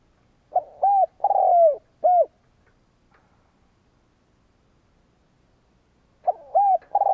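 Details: Decoy spotted dove provoking rivals: a full phrase of low mellow coos with a long burry falling note in the middle, a long silence, then the phrase starting again.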